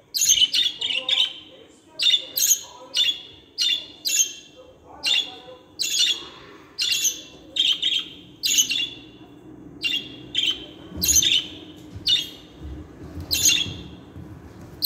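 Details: Pet budgerigars chirping and squawking, meant to encourage budgies to sing and talk; bright, harsh chirps in quick bursts, roughly two per second, with a continuous low hum underneath.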